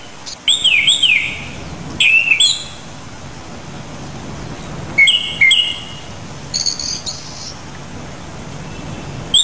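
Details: Japanese thrush (Turdus cardis) singing loud fluty phrases with wavering, up-and-down whistles, separated by pauses of a few seconds. Later a thinner, higher phrase follows, over soft low rumble and hiss.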